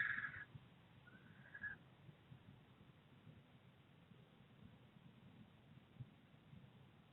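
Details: Two barn owls house hunting in Berkshire on 16 September 2021 give two brief, harsh, hissing calls in the first two seconds, the second rising slightly, followed only by a low background rumble.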